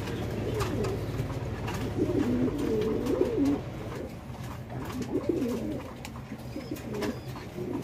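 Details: Bangladesh pigeon farm with fancy pigeons: deep, burbling coos rising and falling in short bursts, a brief lull midway, then more coos from several birds over low humming noise.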